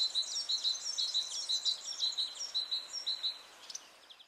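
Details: European greenfinch, nominate subspecies, at Quiberon, France, in April 2023: clear, high notes repeated about twice a second for three seconds, then a few fainter notes.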